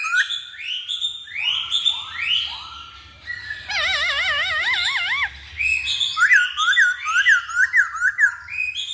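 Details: Masked laughingthrush lure recording: rising whistled phrases at the start, a steady warbling tone in the middle, then quick dipping whistles repeated about twice a second.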